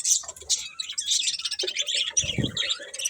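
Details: Budgies twitter in a tangle of high, warbling chirps, joined near the end by a brief lower, rougher sound.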